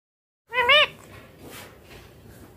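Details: Young green Indian ringneck parakeet kept as a pet during cold winter weather, giving one short harmonic wavering call that rises and falls, followed by quiet room noise.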